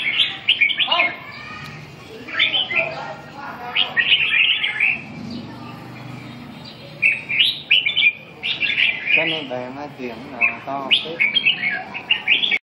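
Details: Red-whiskered bulbul pouring out repeated rich warbled phrases in bursts, with a short buzzy, lower-pitched rattling sound in the middle section.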